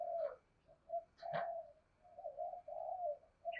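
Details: Spotted dove lure bird in the thổ voice style. Low, throaty coos come in short groups with brief pauses, mixed with a few sharper clicks and knocks.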